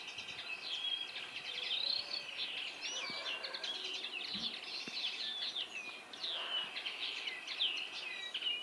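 Common Linnet song: a fast, continuous twittering of bright chirps, short trills and little buzzy notes, rising and falling without pause, with faint outdoor background noise.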